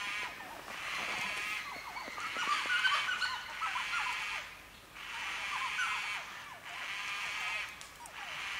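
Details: White-tailed black cockatoos calling in Lane Poole Reserve forest, Western Australia, long harsh wailing notes in a repeated series, with small chirping birds and forest ambience underneath.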